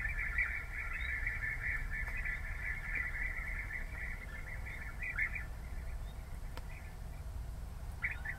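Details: European bee-eaters giving continuous burry rolling calls in a dense chorus through the first half, then sparser notes, over low background rumble.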